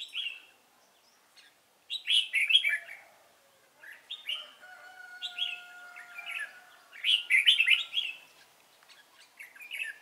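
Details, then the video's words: Red-whiskered bulbul, Cánh ruồi type with a fine voice, at a trapping session on 3 March 2017. Short lively warbled bursts come every two to three seconds over ten seconds, with a faint sustained tone in the background. "Bẫy chào mào Cánh ruồi giọng hay"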